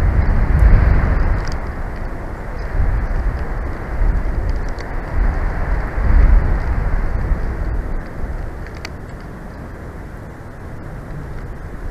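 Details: Steady low rumble of passing vehicles and outdoor traffic noise with a few faint clicks, and no animal voice.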